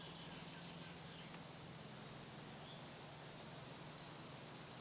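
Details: Nest-building Eurasian penduline tit at Tidö-Lindö near Västerås, Sweden, 2010, giving three high, thin, slightly falling whistled notes, the middle one loudest, with a steady low background hum.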